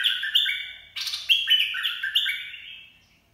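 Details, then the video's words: Bulbul giving a short 'dok taeng' song phrase for training chicks and luring birds: clear, warbling whistles in stepped runs that fade away at the end, against an otherwise quiet background. "เสียงนกกรงดอกแตง เพลงน่าฝึกหัดลูกนก ล่อนกหัยคัก"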